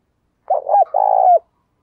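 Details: Lure spotted dove cooing strongly to draw wild doves: a quick double hoot, then a long burred coo that falls off at the end.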